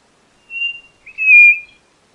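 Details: White-bellied nothura giving two high whistles. A short flat note comes first, then a longer, louder whistle that opens with a brief scooping slur. No other sounds.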